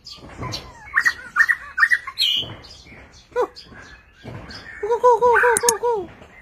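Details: White-rumped shama (Copsychus malabaricus) in display sings a varied run of rich whistled phrases, some rising and falling in quick repeated loops, with a few harsher notes; faint background voices.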